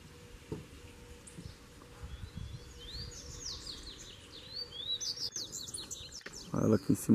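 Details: Double-collared seedeater in the wild, singing to show dominance over a caged bird: a string of high, descending swept notes, quickening, then ending in loud handling thumps.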